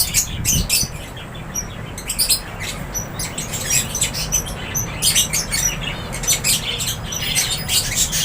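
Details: Lovebirds in an aviary, a flock chirping together: dense, overlapping high-pitched sharp chirps and squeaks in bursts throughout, with a low rumble of background noise.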